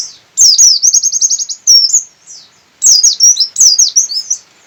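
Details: Javan white-eye of the Buxtoni type from Sukabumi in full open-beaked song: two bursts of very high, fast trilled chirps and wavering whistles, each lasting over a second, separated by brief pauses.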